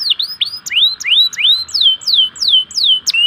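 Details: Prompting song of a local canary for lazy singers. Clear, loud looping whistles rise and fall at a slow, even pace, each note swinging high then dropping.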